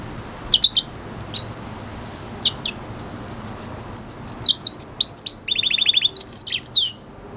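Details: A red siskin hybrid, an F1 cross with a canary, sings a rapid, high, twittering song of sharp chips, buzzy notes and quick trills that grows denser and faster toward the end.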